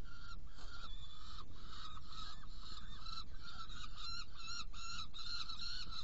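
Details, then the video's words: Saker falcons in Hungary, June 2018 evening, feeding two young after a prey delivery: rough, nasal call notes repeated in a loose series, growing louder and more excited later, atop continuous low-frequency noise. "Saker Falcon Hungary 2018-06-16 Prey delivery and feeding two Young ones"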